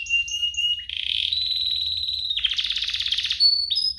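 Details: Two canaries in a lively song compilation meant to prompt canaries to sing and tutor young birds: a steady high whistle, then a rolling rapid trill, then a dense buzzy rattle, ending in short clear notes.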